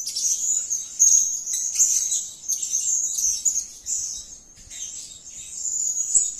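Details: Serindit, or blue-crowned hanging parrot, in active call: quick repeated bursts of high, piercing, buzzy twitter, roughly once a second, separated by short sharp breaks.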